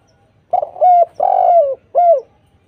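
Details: A lively spotted dove sings a lure phrase meant to draw replies from other doves: a quick rippling start, then a smooth coo, a long falling coo and a final downslurred coo in a quiet setting.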